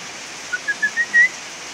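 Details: Loud bulbul song: five clean, evenly spaced whistles that rise gradually from note to note, ending on a longer, louder whistle, with faint rushing noise behind.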